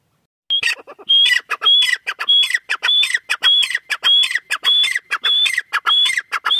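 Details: Female grey francolin repeating loud calls: sharp high whistles each followed by grating clucks, given in a regular series of about a dozen phrases at a brisk, even pace.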